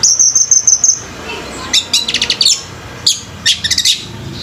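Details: Orange-headed thrush singing at a bird competition, opening with a quick run of evenly repeated high notes, then separated bursts of sharp, clipped, piercing chirps with short quiet gaps between them.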